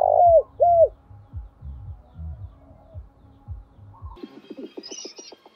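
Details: Spotted dove decoy calling in the thúc and gọi styles, meant to attract wild doves: two strong curved coos at the start over low regular thumps, then a quick train of short buzzy pulses with a faint high whine.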